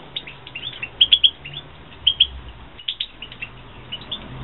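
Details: Captive-bred European goldfinches, 2016 breeding season: lively high twittering with clusters of sharp chirps every half second or so, a brief pause near the middle, then more tinkling notes.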